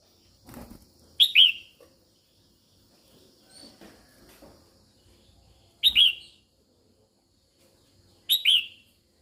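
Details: Female red-whiskered bulbul singing to stimulate males, giving three separate bright two-note whistled phrases, each a rising chirp followed by a falling slur, spaced several seconds apart, with soft rustles and clicks between them.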